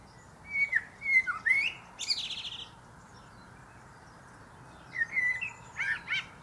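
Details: Common blackbird singing from a pear tree: a series of clear mellow whistles climbing into a harsh buzzy high twitter, silence for a few seconds, then another fluted phrase with squeaky trimmings.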